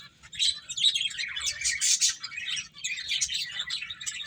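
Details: Finches playing: continuous busy twittering of high, tinny chirps, strongest in the middle, with many notes overlapping.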